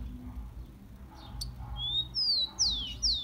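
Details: Rufous-collared sparrow song from Brazil, played to warm up and excite captive birds: a thin rising whistle followed by two loud, sharply slurred downward whistles, with a faint low hum underneath.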